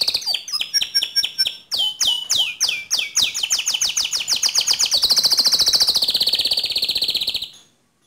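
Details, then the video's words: Rolling 'ngerol' song with sharp 'nembak' notes from a canary, used to provoke another canary: a string of quick falling chirps, speeding into a dense, continuous, high trill before stopping abruptly. "Pancing Emosi Kenari Anda Agar Cepat Ngerol Nembak Seperti Kicau Kenari Ini"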